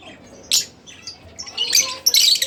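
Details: Split Blue Fischer's lovebird, a pet, giving a few shrill squeaky chirps, one isolated note followed by a denser harsh burst.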